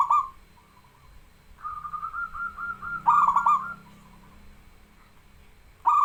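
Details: Local zebra dove in lively song, for training and stimulating reluctant singers: a phrase ends, then a long string of gentle rippling coos builds into a loud stuttered trilling phrase, another beginning at the close.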